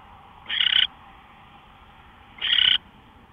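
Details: Owl, early morning of March 24, 2013 at 5:27 AM, producing two raspy, breathy screech-hisses about two seconds apart, each a third of a second long, with a soft steady hum between.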